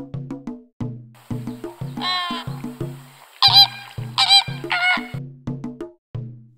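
Flamingo giving loud, nasal, goose-like honks in short bursts over plucked background music.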